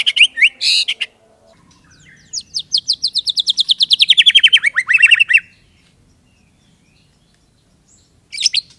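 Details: White-rumped shama kept by an owner, singing loud harsh notes, then a long accelerating trill of rising-and-falling whistled strokes that arcs up and down before ending, followed by silence and a final harsh burst.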